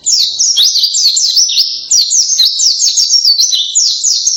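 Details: Loud canary-style singing by a white-eye: fast, high, chattering phrases of zigzagging whistles, with a brief pause near the middle, then renewed rapid trills.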